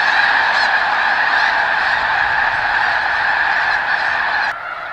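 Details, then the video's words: Snow geese, a flock of many thousands, at McNary National Wildlife Refuge near Burbank, Washington, filmed standing close by: a dense, unbroken roar of overlapping nasal honks, steady and loud, dropping slightly in the final half second. "Thousands of Snow Geese at McNary National Wildlife Refuge"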